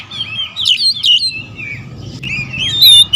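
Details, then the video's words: Oriental magpie-robins, territorial birds, heard more softly: scattered whistled slurs and chirps in two short bursts with a quieter gap between, a steady low hum and faint background noise throughout. "KACER RIBUT"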